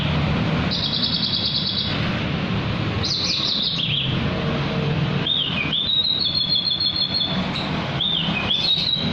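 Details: Javan bush lark singing at night. Separate phrases of bright trills and sweeping, slurred whistles are set off by brief gaps, above a persistent low-pitched rumble.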